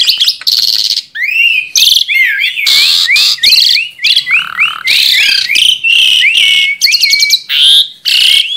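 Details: Asian pied starling, a tame kept bird singing energetically: repeated rising-and-falling whistled slurs strung in a rapid series, broken by harsh buzzy rasps and rattling bursts, loud and continuous throughout.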